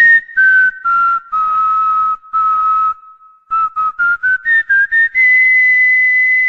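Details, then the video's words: Cockatiel whistling the Corinthians anthem: a melody of clear, sustained whistled notes. Several short notes step upward, with a pause near the middle. "ASSOBIO CALOPSITA - HINO DO CORINTHIANS"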